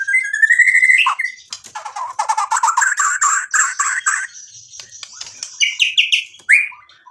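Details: White-rumped shama singing to provoke a rival into answering: a dense, varied run of rapid chattering notes and short whistles, some harsh and buzzy, ending in several sharp rising whistled phrases.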